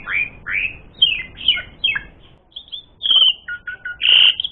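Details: Singing Asian pied starling in a lure recording for provoking fights: several rising slurred whistles, a pause, then flat piping notes and a loud buzzy burst at the end.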